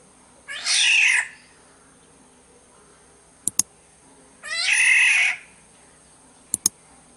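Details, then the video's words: Lure recording of a Sumbawa black-naped oriole: two nasal, cat-like squalls roughly four seconds apart, each about seven-tenths of a second long, with faint sharp clicks between them. "Pancingan suara burung kepodang SUMBAWA"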